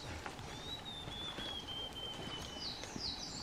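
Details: Blue-and-white flycatcher (Cyanoptila cyanomelana), Shuhogahara, Kobe, 30 May 2020, at fledging time with a pair carrying caterpillars: a thin, high whistle held about two seconds and slowly falling, then a few short higher notes, over steady hiss and faint clicks.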